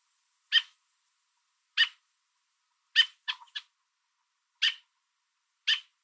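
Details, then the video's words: American robin on a fence holding food, calling its fledgling and warning off an intruder: loud harsh chips about one to one and a half seconds apart, with a brief cluster of softer lower notes in the middle. "American Robin Calling Its Fledgling On a Fence With Food In Its Beak"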